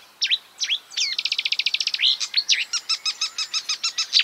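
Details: Marsh warbler song imitating other birds: a few sharp chirps, then a rapid even trill of clicks, followed by a steady series of repeated chirps about five per second.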